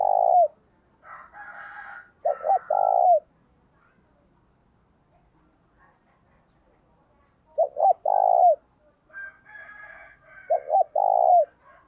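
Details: A spotted dove gives its urging and calling coo song: mellow, hollow coos in short phrases of two or three notes, repeated every few seconds.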